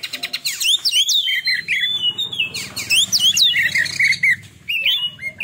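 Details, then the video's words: Oriental magpie-robin, a young bird after its first moult, delivering a fierce 'tembakan' (rapid-fire) song style: loud, varied whistles and sharp sweeping notes, fast rattling bursts and chattering phrases in quick succession with short pauses, little background noise. "Tembakan Kacer Super Pedas"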